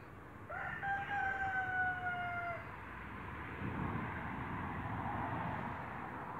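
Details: Brahma chicken among four Brahma hens feeding on grass in a backyard, giving one drawn-out, crow-like call lasting about two seconds with a slightly falling tone, followed by steady outdoor background noise.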